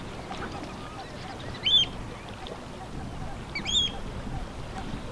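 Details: A male Northern wheatear at Strengen, Netherlands, on 24 April 2021 gives two short, high whistled calls with a hard clicking edge, about two seconds apart, over steady rushing wind noise.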